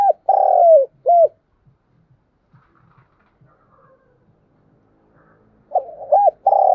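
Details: Decoy spotted dove cooing to excite wild doves. A drawn-out wavering coo and a short hooked note open the clip, then near silence with faint soft taps, before another phrase of stuttering notes and a long coo begins.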